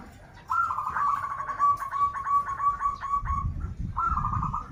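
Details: Banten local zebra dove singing steadily, its song styles called krital and warung kebek: one long, rapid, stuttering trilled coo lasting about three seconds, then a brief pause and a shorter rolling phrase.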